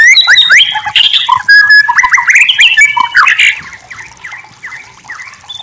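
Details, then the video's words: White-rumped shama singing a rapid, varied stream of loud whistled notes, slurred upsweeps and downsweeps with high buzzy trills, dense for three seconds and then fading to softer scattered phrases. "Masteran murai batu terbaik"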